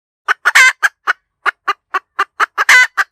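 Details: A cackling hen chicken gives a brisk series of about thirteen clipped clucks broken by two stretched, raucous squawks, one early and one at the close. Quiet background.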